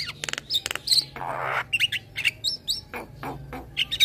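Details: Head-bobbing young male black-winged starling, caged, singing for a master recording used to train cage birds: clipped clicks and short whistles around a harsh noisy burst, notes irregularly spaced.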